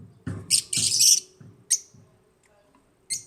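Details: African lovebirds in an aviary: shrill, harsh chirps in short bursts, a longer scratchy one near the middle, then two sharp single chirps spaced over three seconds, with soft low thumps under the first calls.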